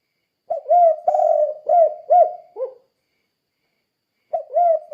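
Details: Spotted dove calling "kuk 2" as a lesson for other doves: a five-coo phrase of soft low hoots with a long rolling second note and a short dropping last note, then silence, then a new phrase begins.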